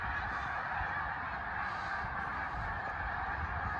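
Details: A large flock of snow geese flies over the Eastern Shore, making a steady, dense clamour of high, nasal barking honks, with countless voices overlapping without pause.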